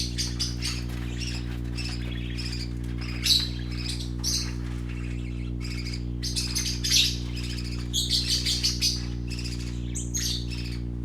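Young parakeets chatter in quick, high chirps and squeaky twitters, with a few louder squawks. A steady low electrical hum runs underneath.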